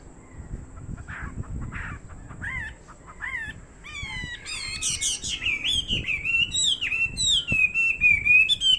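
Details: Fighting Chinese hwamei delivering a loud, rich song: short separated notes at first, then a fast stream of rolling, repeated whistles and trills sliding up and down, building in volume over about nine seconds.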